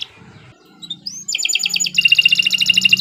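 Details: Kenari Nusantara canary: soft, scattered notes over a low hum, then a rising whistle leads into dense, rapid pulsing trills that grow louder.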